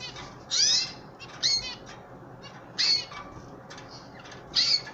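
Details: Pet canaries, an older bird and chicks, being hand fed: short high chirping calls with bright harmonics come about once a second, mixed with soft rustling and clicking between calls.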